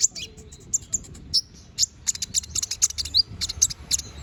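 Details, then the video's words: Energetic 'gacor ngobra' canary song, intended as a master recording for murai: a dense string of very high, bright chirps and a few sliding notes, delivered fast and nearly continuously over faint low hum. "Suara BURUNG KENARI GACOR NGOBRA! Cocok untuk masteran"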